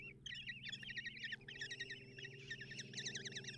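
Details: At a Hungarian nest box in Tiszalök, 30 June 2024, kestrel young are fed by their mother in the morning, giving rapid quavering shrill trills in long runs with one short gap, a constant low mechanical hum beneath.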